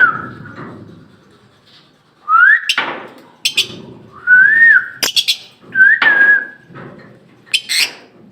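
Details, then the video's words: Lovebird kept as a pet in Bangladesh whistling in short wavering phrases, four whistles spaced over several seconds, mixed with sharp clicks and knocks and low background music. "love bird লাভ বার্ড পাখি"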